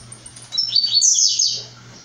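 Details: {'caption': 'Blue-black grassquit, a brown-plumaged bird, gives one short buzzy, wheezy phrase. It sweeps up sharply in pitch and then fades, over a steady low electrical hum.'}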